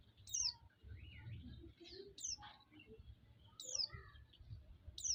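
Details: White-eye used as a lure to fire up other white-eyes: four high, downward-slurred chirps spaced roughly one and a half seconds apart, mixed with softer, lower twitters and a low background murmur.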